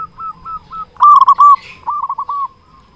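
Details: Strong-voiced local zebra dove singing to attract others: soft spaced coos lead into a loud burst of quick rolling hoots, followed by a second, slightly quieter rolling coo phrase.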